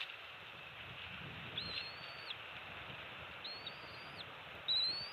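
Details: Two-week-old bald eaglets in a nest on Captiva/Sanibel Island, Florida, on an early December morning during an adult shift change and fish feeding. Thin, high, whistled notes rise, hold level and drop at the end. Two long notes, then a brighter short one, over steady hiss.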